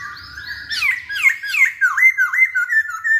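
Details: Masked laughingthrush singing to stir other birds into song: a short high whistle, then a quick string of loud, looping, slurred whistled notes, each rising and falling, repeated roughly three times a second.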